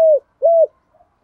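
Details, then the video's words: Spotted dove, male and female calls used for daily training of decoy doves: two low, hollow coo notes, the first falling at its end, the second a short arched coo, then near silence. "tieng chim cu gáy dùng tập bổi mỗi ngày"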